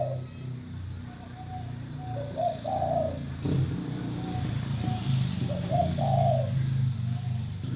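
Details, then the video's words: Zebra dove cooing in soft, low rolling phrases, partly masked by steady traffic rumble and a passing vehicle. "burung terkuku manggung"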